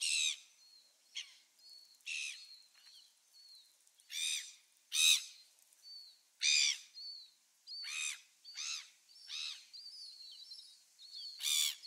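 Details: Gulls on 27 December 2017: scattered harsh squawks at an uneven pace, some loud and some distant, over a background of thin, repeated whistled notes.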